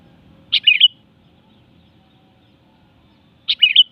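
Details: Sooty-headed bulbul, called kutilang, repeating a short liquid phrase of three or four rapid tumbling notes, delivered twice about three seconds apart against a quiet background with a soft low hum.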